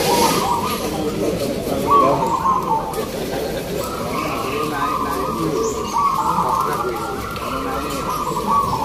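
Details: Chorus of contest zebra doves (perkutut lokal) at Gantangan Singosaren, Yogyakarta, Indonesia, free class, first session: layered, rhythmic cooing phrases from many birds run almost unbroken, over steady crowd chatter and voices.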